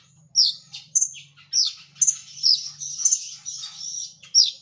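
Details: Energetic gacor masteran song of a brown-throated sunbird: thin, high, tumbling twitters and downslurred notes run together into a dense warble, with a soft low hum beneath.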